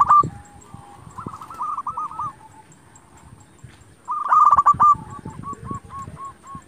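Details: Local zebra dove (perkutut) calling to provoke rival doves into answering: two bursts of rapid, rolling coo notes near the same mid pitch, the second ending in separate repeated coos, over low rumbling background noise.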